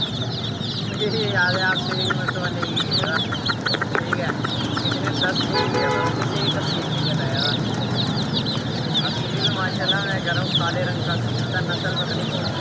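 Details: Baby chicks chirping in a busy chorus of high peeps, joined by lower harmonic clucking or voice-like sounds in the middle, over a steady low background noise.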